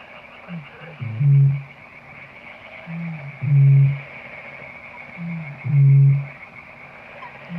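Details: Eurasian bittern call played as a hunting lure: a few short low grunting intakes followed by a deep resonant boom, repeated about every two and a half seconds, three times, with a steady background hiss.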